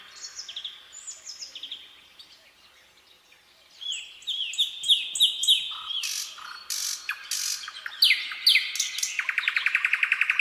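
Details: Common nightingale (Luscinia megarhynchos) song: soft high whistles, then loud varied phrases of repeated sharp notes and buzzy bursts, ending in a rapid rattling trill; nothing else intrudes.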